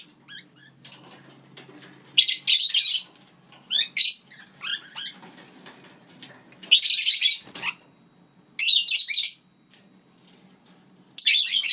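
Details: Lineolated parakeets, kept as pets together with their chicks, giving loud bursts of harsh, noisy chatter in clusters lasting about a second, separated by quieter, scattered chirps and faint rustling.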